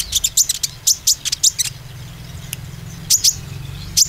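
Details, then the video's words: Olive-backed sunbird lure recording meant to stimulate young green-plumaged and spotted birds to sing boldly: sharp, very high metallic chirps in quick bursts, then a pause and a few more, over a low steady background hum. "pancingan konin ‼ khusus konin ijoan dan trotol supaya bermental"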